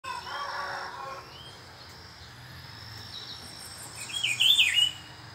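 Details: Rufous-browed peppershrike, one of a pair visiting, in Brazil: a single loud, warbled phrase of quick up-and-down notes late in the clip, after a buzzy burst at the start, over a steady high insect whine and faint distant chirps.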